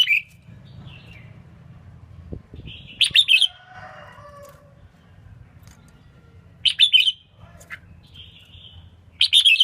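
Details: Red-whiskered bulbul female singing, meant to stimulate males: crisp chirped bursts roughly every three to four seconds, separated by faint short notes, against a low background hum.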